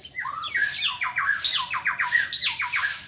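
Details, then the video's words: A white-rumped shama sings in the morning: a quick series of repeated downslurred whistled notes in short runs, bright and clear over a faint background hiss. "ocehan burung murai batu di pagi hari"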